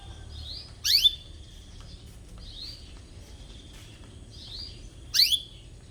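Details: Canary giving "cuit cuit" rival-seeking chirps, suited to train young canaries; two loud, steep falling chirps about four seconds apart, separated by softer rising high notes.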